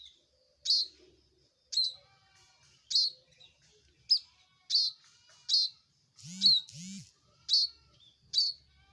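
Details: A loud bar-winged prinia repeats abrupt, high chip notes about once a second, each dropping into a brief ringing tail; midway, a buzzier, longer double note sounds alongside two lower swooping tones.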